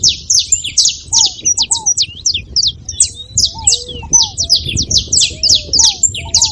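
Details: Singing saffron finch, used to stimulate a reluctant canary: dense bursts of high chattering chirps in quick succession, over repeated low arched whistled notes from another bird and a soft rumbling background.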